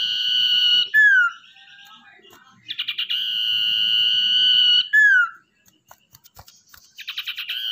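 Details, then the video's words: Wild-caught, tamed captive Common iora singing actively, kept as a lure bird: a few quick stuttered notes, then a long steady high whistle held about two seconds, ending in a sharp downslurred note, repeated twice, with faint low background rumble. "Cipoh atau Sirdung Ekor Hitam Gacor buat Pancingan"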